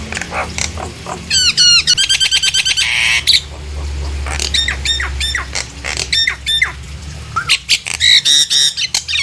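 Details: Nias hill myna in full song, meant to lure other hill mynas into singing: rapid runs of harsh chattering notes, a buzzy rattle, then loud clear whistled phrases and squawks in quick succession, with a steady low hum beneath.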